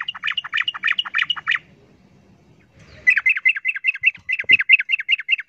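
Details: Sooty-headed bulbul giving noisy, rapid 'ropel' fighting calls against a wild bird, stirring other bulbuls; a quick chatter of bubbly repeated notes, a short pause, then a longer run of fast, rolling notes.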